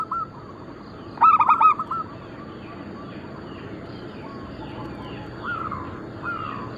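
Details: A single loud cluster of rapid, stacked coos from a local Bangkok-cross zebra dove, from lure and tutor material, rises from a background of faint cooing by other doves.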